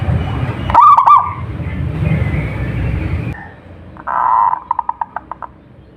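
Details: Local zebra dove singing to prompt other doves to call: a loud stuttered coo burst, a quiet pause, then a thick note followed by about six quick evenly spaced pulses fading out, with low rumble early on.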